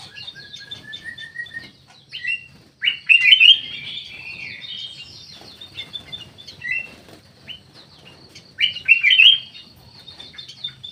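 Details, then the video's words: Black-naped oriole in an Indonesian aviary giving loud, slurred whistled phrases in two main bursts, near three and nine seconds, with scattered short notes between and little background noise. "KUTILANG EMAS"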